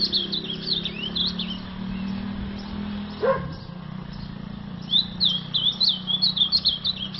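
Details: Azulão song: short bursts of sweet, warbled phrases in a high register, with quick up-and-down notes at the start and again near the end. A steady low hum runs underneath, and a brief thud sounds in the middle.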